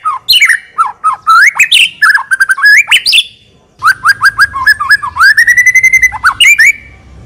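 A White-rumped shama sings a rich, fast run of varied whistles, rising slurs, chattering notes and a long sustained tone, with short pauses between phrases.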